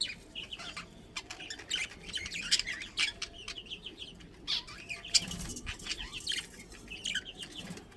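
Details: Budgies in a captive colony including a breeding pair, softly twittering with repeated short chirps and warbles at moderate volume, mixed with light fluttering and rustling.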